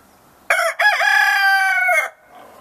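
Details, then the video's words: Gray rooster crowing in the morning on a ranch in northern California: one loud, harmonically rich crow lasting about a second and a half, with a brief broken start then a long sustained note ending abruptly. "Gray Rooster Crows"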